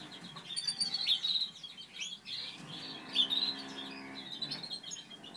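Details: Bright chirping phrases come from a Satinet canary breeding pair, Natur/Satinet male and Satinet female. Twittered bursts rise and fall twice, with a low droning hum in the background partway through.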